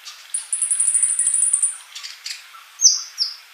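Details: Sunbird (kolibri) singing vigorously: a long, very high, thin trill lasting about a second and a half, then a few sharp whistled notes.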